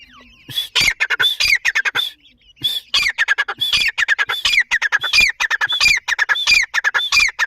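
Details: Grey francolin chicks with their family: dense, rapid series of harsh squawky notes, steady at first and then sliding downward. The notes repeat roughly one and a half times per second, with brief gaps.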